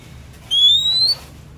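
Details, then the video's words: Oriental magpie-robin (kacer), a bird said to sing constantly. A single loud, pure whistle rising smoothly for about half a second, then silence except for low background hiss. "Kacer Bakal GACOR Gak DIEM Setelah Terangsang Suara Kacer Super Gacor DOR Ini"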